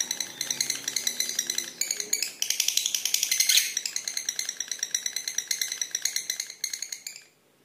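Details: Lutino lovebird with red eyes in a long ngekek: a steady, rattling string of sharp high pulses, briefly louder in the middle before fading out at the end. The recording serves as a model for training other lovebirds.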